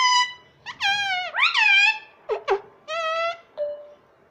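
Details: Pet ring-necked parrot talking, trying to say "mummy" and "papa": a string of harmonic, nasal syllables, some flat, some swooping up then down, in separate bursts with short pauses, indoors and quiet.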